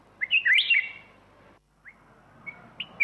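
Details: Black-crested bulbul giving one rich, tumbling, whistled phrase, followed by a few thin, soft rising notes.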